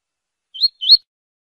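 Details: Double-collared seedeater singing the Tui Tui song style, used to tutor captive birds and chicks: two quick upslurred whistled notes, the second slightly longer, against total silence.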